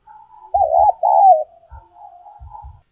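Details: Spotted dove decoy call, 'giọng còi' style, also known as 'giọng kim': a single phrase of a wavering coo joined to a longer, slightly falling coo, with faint humming and dull low knocks around it.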